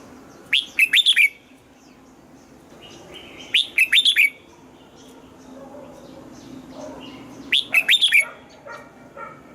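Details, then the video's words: {'caption': "Red-whiskered bulbul in morning voice training for the 'âm kép già rừng' double-note song; three crisp whistled phrases of several rapid notes, repeated roughly every three and a half seconds, with low background hum."} "Luyện giọng cho chào mào hót sáng, ép chào mào hót âm kép già rừng hay tuyệt!"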